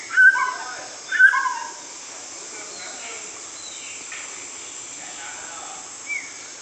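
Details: White-rumped shama singing: two loud, clear whistled phrases close together near the start, each with a lower trailing note, then a long quiet gap and one faint short note near the end over a steady background hiss.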